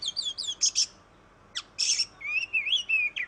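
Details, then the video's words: Oriental magpie-robin song played to prompt other birds to sing: varied clear whistles, sharp high chirps and slurred notes, with short pauses between phrases. "Suara burung kacer Kacer ngoceh Kacer gacor"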